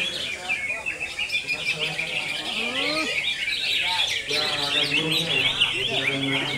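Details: Konslet song from a greater green leafbird: rapid high chatter and squeaky trills, mixed with slurred whistled notes that rise and fall lower down, and a faint hum underneath.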